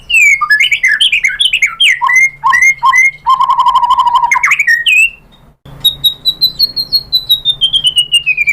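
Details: White-rumped shama song meant to provoke other birds into singing: quick varied whistled phrases, a buzzy rattling passage, a brief pause, then a long descending series of rapid high notes.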